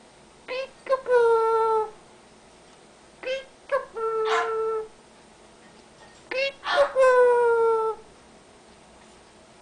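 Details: Pet Amazon parrot indoors, chattering while its owner types; three voice-like spoken phrases with clear falling tones, each lasting about a second, spaced roughly three seconds apart, over a quiet room hum.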